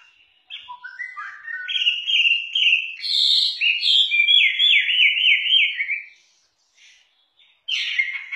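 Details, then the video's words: Chinese hwamei, a songbird from southern China, singing actively: loud, varied whistled phrases that rise and fall, including a run of rapid repeated slurred notes, then a pause before a new phrase. "Suara Kicau Burung Hwamei"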